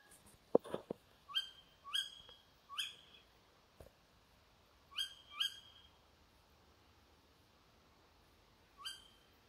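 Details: Tawny owl calling behind a house at 4 a.m.; short, sharp, rising cries given singly or in quick pairs, about eight over nine seconds, with a few dull knocks near the start and a quiet night background.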